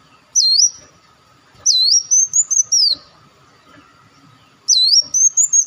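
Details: Olive-backed sunbird (wulung or muncang) lure call for attracting birds: three bursts of high, thin whistles, each starting with a swooping dip and then a quick series of rising and falling notes, separated by quiet pauses over a steady hum.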